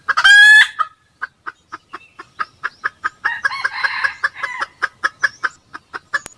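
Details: A crow from a red junglefowl, filmed in 2020 while trapping with a decoy as two birds approached, gives way to quick regular clucking, with a second bird's overlapping rough crow midway.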